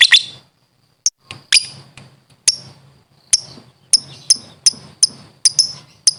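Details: Lovebird in its chattering 'ngekek' style, recorded to train fighter birds: high, squeaky chirps that start scattered and then quicken into a string of bright notes about every third of a second.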